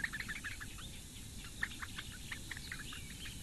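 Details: At a nest in the Lake Engure reedbeds of Latvia, four great bittern chicks call while their mother feeds them on a May 2017 morning. Their brief, clipped notes come irregularly against a steady low rumble.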